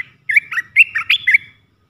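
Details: Lure recording of an Olive-winged Bulbul singing a three-phrase song: a fast burst of six clear, warbling whistled notes jumping up and down, all within about 1.2 seconds, with a soft low murmur in the background.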